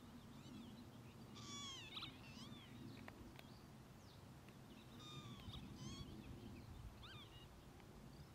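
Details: Northern Lapwing at Ljubljana Marshes (Ljubljansko barje), Slovenia, on 7 June 2024, giving wheezy, slurred 'pee-wit' calls that rise then fall, several in a few seconds, over a steady low rumble of wind and distant noise.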